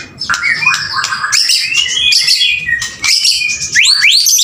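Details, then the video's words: Male white-rumped shama in full, energetic song: a dense run of high bright whistles, rising sweeps and quick chattering notes, ending in a series of rapid upward-slurred whistles. "MB PJR gacorree polll"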